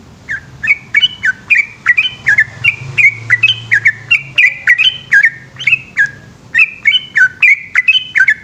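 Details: Yellow-vented bulbul, known locally as trucukan, singing a long rapid 'ropel' song at night in Indonesia: a fast string of bright chattering whistled notes, each with a sharp onset and a downward slur, about three per second, over a faint low hum.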